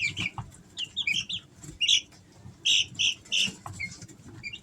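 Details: Three-week-old Easter Egger chicks at home in summer give short, high, slightly falling peeps, singly and in pairs with brief pauses, over low background rustle.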